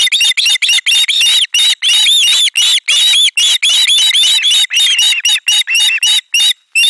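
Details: Loud chorus of osprey nestlings greeting a delivered fish at nest 4, 18 July 2022; rapid, overlapping shrill screams with rising-falling inflection, packed almost without gaps through the whole stretch.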